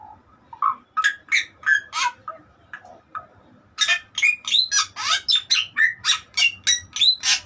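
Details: Bali myna song: loud harsh squawks and chattering notes, then a fast run of sharp broadband calls repeated about three per second with rising whistled inflections.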